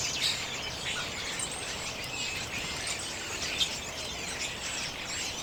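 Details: Common redpolls feeding on sunflower seeds in late January 2022, recorded on a Canon EOS M50; a flock gives soft, high, overlapping twittering chirps throughout, over a steady background hiss.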